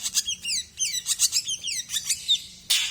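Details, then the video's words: Song of a male ashy drongo: quick series of sharp descending chirps, each a high slurred note repeated roughly twice a second, ending in a short harsh rasping burst. "Burung Srigunting abu jantan"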